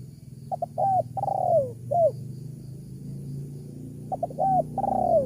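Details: Spotted dove call serving as a lure for wild doves. Quick short notes lead into a long falling coo and a shorter dropping note, repeated twice over a steady low rumbling background.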